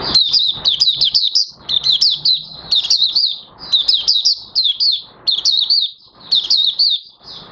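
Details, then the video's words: Oriental white-eye (Mata Puteh Raja) starting to sing on 30 August 2022, its new white feathers almost fully pigmented; high, rapid twittering phrases of sliding chirps, each burst about a second long, separated by brief pauses. "Mata Puteh Raja Buka Sing"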